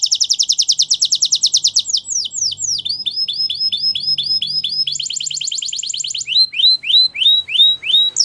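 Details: Song of a Spanish Timbrado canary: a long fast rattling trill, descending sweeps, repeated rising whistles, a second rapid trill, and a slower series of upswept notes.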